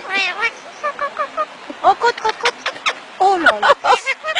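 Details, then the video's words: Twin parrots talking, with rapid speech-like chatter of short squawky syllables and mimicked words, bursts following one another irregularly over a few seconds. "Beautiful twin Parrots talk"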